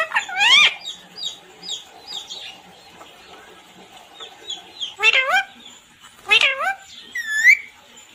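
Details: Talking parrot speaking words, heard as bursts of harmonic, voice-like calls with rising and falling tones near the start, at about five seconds and again near six to seven seconds, with quiet gaps between.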